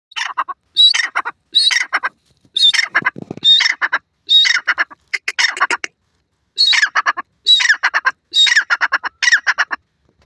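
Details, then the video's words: Francolin, locally called dakhni teetar, calling at home: loud, harsh bursts of rapid clipped notes, each opening with a short whistled note, repeated about once a second in rhythmic phrases with brief silent gaps. "francolin bird calling,dakhni teetar voice"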